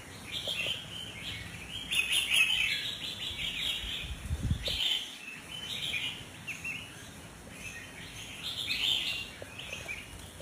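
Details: Sooty-headed bulbul, an albino individual, singing: short, bubbly, warbled phrases repeated every couple of seconds, with a steady hiss and a brief low thump midway.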